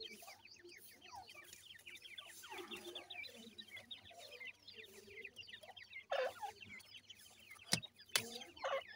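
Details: A brood of week-old grey francolin chicks calling as they feed, giving continuous high descending peeps in a busy overlapping chorus. A few loud sharp clicks come near the end.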